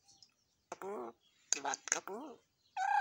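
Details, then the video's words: Talking pet hill myna imitating human words: several quick speech-like phrases with wavering voiced tones, separated by short pauses, ending in a sustained bright whistle. "ময়না পাখি খুব সুন্দর ভাবে কথা"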